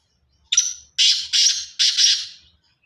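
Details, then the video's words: Pure Sindhi black francolin of the Sindhi chirki strain giving a harsh, grating call: one rasping opening note, a short pause, then three loud buzzy notes in quick succession. The background is otherwise quiet. "پیور سندھی کالے تتر کی اواز سندھی چڑکی نسل کا کالا دتن چل سو چل pure Sindhi Kale teetar Ki Awaaz"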